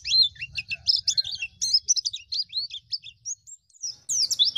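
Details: Ngalas-style white-eye singing as a training recording for young birds: rapid high twitters that thin into scattered notes, a brief gap, then a loud final burst.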